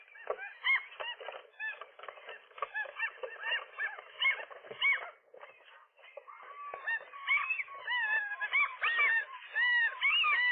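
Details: Gull couple defending their roof nest against a lone gull on an April morning, wrestling with it; dense, clamorous, overlapping squealing calls with arched notes, a brief lull midway, then louder, more rapid calling.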